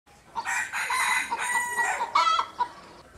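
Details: Domestic chickens calling, a mix of overlapping harsh, harmonic squawks and cackles with a brief raspy outburst near the end.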